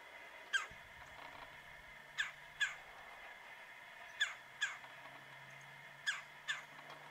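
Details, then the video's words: A wild woodpecker calls loudly from a tree about 45 yards away on a mid-January morning around 9 am at -9°F: short, sharp, loud notes, mostly in close pairs about two seconds apart, over a faint steady hum. "Woodpecker Calling On a Cold Winter Morning"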